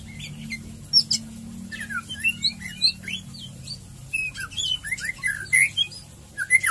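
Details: White-rumped shama (murai batu) in energetic ngeriwik ngeplong song: rapid varied whistled and chattering phrases, rising and falling slurs with sharp high notes, delivered in bursts with short pauses; faint low hum beneath.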